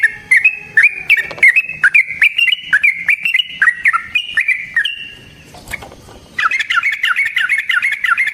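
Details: Long fighting song of a yellow-vented bulbul, meant to provoke a rival: quick chains of bubbly, slurred chirps repeated rapidly for about five seconds. After a short noisy gap, a livelier burst of down-slurred notes follows.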